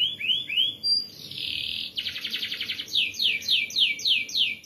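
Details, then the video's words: Canary singing steadily in the tight rolling 'ngeroll rapat' manner: short rising arcs and a clear whistle lead into a sustained buzzy roll, then a fast regular series of bright descending notes, about three per second. "MASTERAN BURUNG KENARI GACOR NGEROLL RAPAT"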